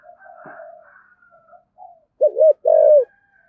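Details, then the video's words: After faint soft background tones, a spotted dove of the deep 'giọng thổ' style delivers one clear phrase: a short doubled note, then a longer mellow coo sliding down, meant to make other doves coo along. "cu gáy giọng thổ giọng hay thúc gù bổi nghe gáy theo sung mãn"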